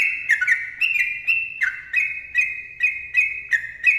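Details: Sooty-headed bulbul pouring out its dense 'ropel' song, a lively string of clear, slurred whistles about three per second that rise and dip in a cheerful, tumbling rhythm.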